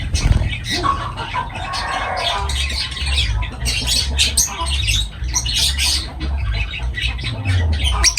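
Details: Lovebirds chattering continuously in a dense mix of overlapping high squeaks, chirps and harsh notes, with a low rumbling hum underneath.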